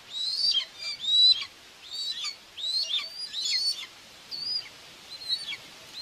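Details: Common buzzards at a nest in Tiszalök, Hungary, on June 2, 2024, as the mother feeds two chicks: high, thin whistled calls that bend sharply downward, given in short bursts about once a second with brief quiet gaps.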